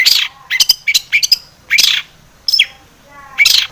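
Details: Long-tailed shrike in lively song used to stir other shrikes to sing: harsh rasping bursts alternating with quick clusters of sharp chirps, separated by short pauses.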